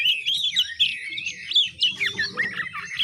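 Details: Young oriental magpie-robin practising ngiriwik song, a rapid rambling warble of high bent whistles and squeaky chirps, barely pausing, with soft low rumbling in the background.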